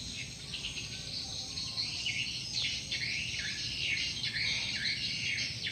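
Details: Gathering swiftlets attracted by a lure call; many high, sharp twitters and downward-sweeping chirps crowd together without pause over a low rumbling background.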